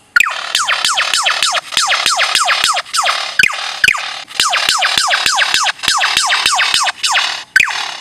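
A lyrebird gives a rapid run of sharply falling, laser-like 'pew' whistles, three or four a second, broken by sharp cracks like gunshots.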